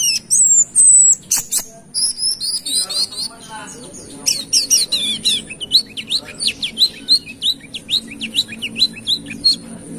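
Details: Brown-throated sunbird from Kalimantan in full song, used to lure other birds: an opening high whistled phrase, then a fast, sustained series of sharp, thin, very high chips and short slurred notes, closely spaced.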